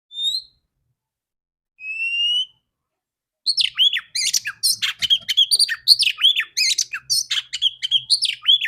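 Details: Female oriental magpie-robin, a bird kept to stimulate males to sing, opening with two clear rising whistles, then a fast rich jumble of varied high whistles, trills and harsh notes crowding together without pause.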